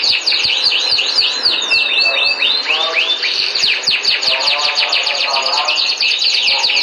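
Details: Canary singing sweetly: a rapid string of high whistled sweeps and chips merging into continuous rolling trills, loud and unbroken.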